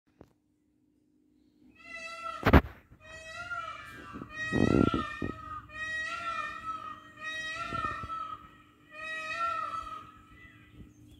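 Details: Early in the morning, a peacock gives a series of loud, nasal, wailing cries, about four in a row roughly every two seconds, with a few dull knocks nearby.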